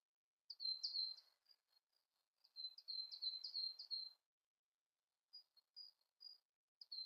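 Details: Siberian blue robin song: two bursts of rapid, high, thin trilled notes, each about a second and a half long, then a pause and a few scattered short high notes; quiet background.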